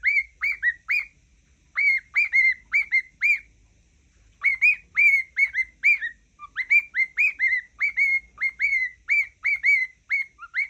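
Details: Pet cockatiel whistling a tune its owner believes is the Mickey Mouse song: clear, hooked whistles in quick runs of four to six notes, with a brief pause midway and a dipping lower note near the end.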